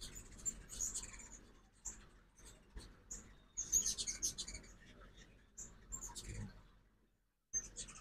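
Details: Ruby-throated hummingbirds on fall migration at a morning feeder in Oxford, Mississippi; sparse then intensifying high twittering chips, a dense burst near the middle, fading to quiet before one last chip.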